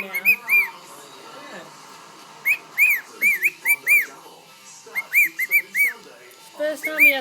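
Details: A pet cockatiel named Brocky, singing and whistling on its owner's shoulder, gives a string of clear, arched whistles in short bursts, with a person's voice faintly behind. Finding: Cockatiel.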